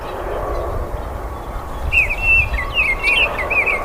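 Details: After a quiet start, a Baltimore oriole breaks into a short string of bright, slurred whistles that rise and fall, with low background noise throughout.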